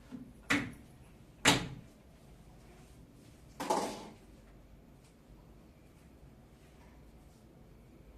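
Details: Three sharp indoor thumps, like a door or cupboard closing, then quiet room hum with no animal voice.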